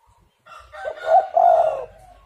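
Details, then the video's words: Spotted dove cooing as a lure to stir other doves into calling. One stuttering, husky coo phrase rises then settles into a long low note, accompanied by a rough, rustling noise. "tekukur super gacor pancingan untuk lawan malas bunyi"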